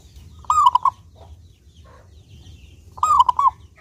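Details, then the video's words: Zebra dove of a local type, singing constantly with a clear voice as a lure for doves: two tight phrases of rapid, rounded cooing notes two and a half seconds apart, with soft scattered background chirps. "Perkutut Lokal Gacor Suara jernih ini Paling Ahli bikin Pancingan Burung Perkutut Agar rajin Bunyi"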